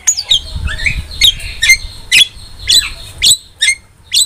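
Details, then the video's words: Starling song for tutoring pet starlings: separate sharp squawks and short whistled notes roughly twice a second, some sliding upward, over a faint low rumble of background noise. "OCEHAN JALAK GACOR"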